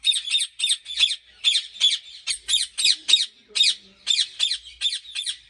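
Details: Ringneck parrot at a breeding farm in Pakistan, calling with a rapid, rhythmic series of piercing, grating squawks, roughly three per second, sustained throughout.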